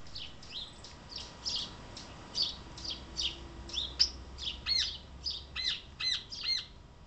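Epaulet Oriole singing a quick series of bright, high whistled and chattery notes, some sharply down-slurred, repeated about once a second.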